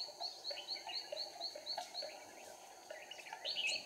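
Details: Red-whiskered bulbul decoy singing to lure wild birds for trapping in Hòa Bình, Vietnam: a run of about eight short, evenly spaced whistled notes, then a brief gap and a louder burst of warbled phrases, with other birds faint behind.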